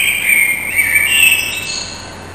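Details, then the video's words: Common blackbird, a resident bird of a residential street, singing at 4:15 in the morning on 21 March 2010 after returning for spring; a warbled, fluting phrase sliding up and down, then a thin high twittering tail. "MERLO CON L'INSONNIA"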